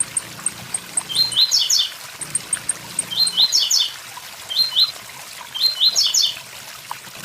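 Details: Four brief, high, buzzy phrases of stepped notes from a blue-black grassquit, spaced irregularly over seven seconds, with a waterfall rushing continuously and faint high ticks.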